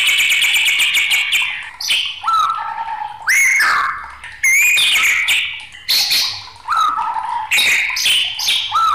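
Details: Raging white-rumped shama pouring out continuous song for baiting other songbirds: rapid trills, clear falling and rising whistles and harsh chattering notes, phrases following one another with barely any pause.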